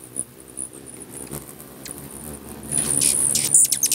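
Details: Hummingbirds squabbling at a feeder in Bigfork, Montana, starting quiet with a few thin high peeps, then erupting near the end into a dense, loud burst of rapid shrill chirping over humming wings.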